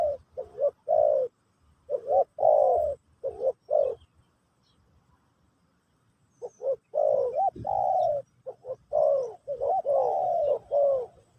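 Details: Spotted dove singing in the Pesom/Kacuk style during a teaching session for a new bird: low, mellow coos in quick rolling phrases, a burst of about four seconds, a pause, then a longer run of repeated coos.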